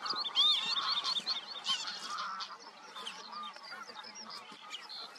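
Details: Northern lapwings giving loud arched, slurred calls early on, then softer overlapping bird calls fading into a steady low background murmur.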